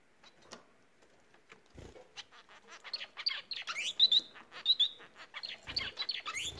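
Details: Bengalese finch song: after a quiet start with a few soft ticks, a rapid run of buzzy, scratchy syllables mixed with short high whistled slurs builds and continues loudly to the end.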